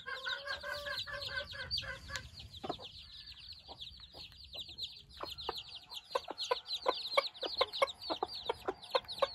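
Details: Newborn Silkie chicks outdoors for the first time, part of a flock of four hens and 24 chicks: a dense chorus of high, thin, downward-slurred peeps overlapping continuously, with a lower harmonic clucking from a hen in the first two seconds.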